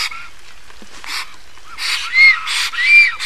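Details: Black storks at a nest in Estonia: short rising-and-falling tonal notes with harmonics, mixed with broad breathy hissing bursts, grow louder toward the end.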